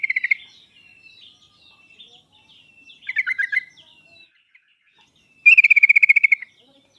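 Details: Sooty-headed bulbul song used as a lure recording to draw out a reluctant bird; short bubbly whistled phrases around the start and middle, then a fast, even trill of repeated notes near the end.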